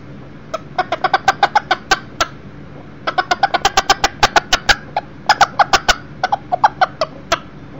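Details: Indoor visit by a one-year-old Millefleur d'Uccle rooster in a house where a broody hen, chicks and a second hen stay; clipped clucks rattle out in three quick clusters of about eight to ten notes.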